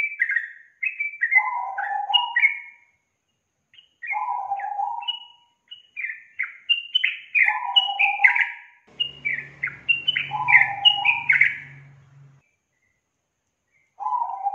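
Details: Lure recording of sooty-headed bulbul song meant to prompt a young bird to sing: repeated bubbly whistled phrases, each ending with lower warbling notes, separated by short pauses; faint low hum midway.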